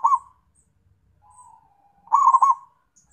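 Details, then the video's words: Zebra dove calling companions: a single short coo, a faint drawn-out murmur, then a loud burst of quick bubbly staccato notes. "PERKUTUT MEMANGGIL TEMAN"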